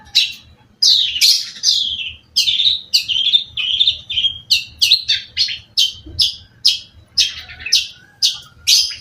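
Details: Cendet, from Indonesia, singing energetically: a varied series of sharp, buzzy, downslurred high notes and chattering phrases, delivered in separate bursts roughly every half second, with a faint low hum in the background.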